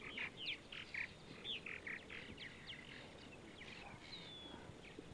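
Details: Purple martins chatter in bursts of gurgling, chirping notes, about two per second, with rising and falling whistles over a low rumble, on a sunny Sunday morning in central Ohio.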